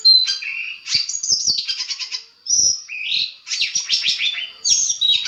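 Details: Long-tailed shrike master recording, used to provoke replies from other shrikes: a dense run of high chirps, buzzy trills and a lower whistled note, broken by short pauses.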